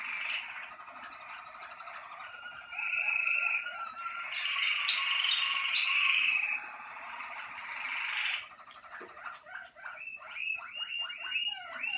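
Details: Song of a Malinois Waterslager canary, 2019 team: a soft rolling start builds into loud, dense bubbling rolls, then breaks into rapid, choppy water-like gurgling phrases of rising and falling notes.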